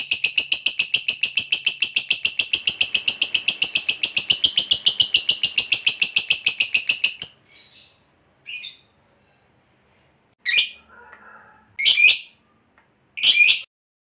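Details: Lovebird of the fighter type, kept by bird hobbyists, giving its prized long trill ('ngekek panjang'), used as a lure to make other lovebirds answer: a rapid, high-pitched chattering trill lasting about seven seconds, followed by a few short, sharp chirps.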